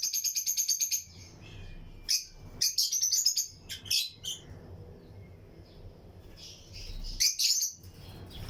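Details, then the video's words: Lutino lovebirds, pairs kept in a breeding colony flight aviary, chirping among other caged birds. A fast run of sharp, high chirps fills the first second, then scattered clusters of bright chirps and short trills, with a low background rumble. "Lutino Lovebirds Breeding Colony Cage - Chirping and Relaxing Sound"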